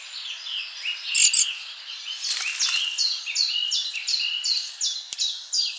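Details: Summer garden feeder birds: scattered high twitters, then a clear series of short downslurred whistled notes repeated about twice a second over soft background chirping.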